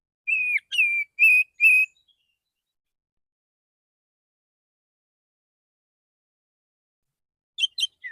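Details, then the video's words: Male white-rumped shama singing in the morning to call other shamas: four quick level whistles, then silence and a few short chirps at the end. "Pancingan burung kacer jantan pagi hari suara santai panggil kacer lain"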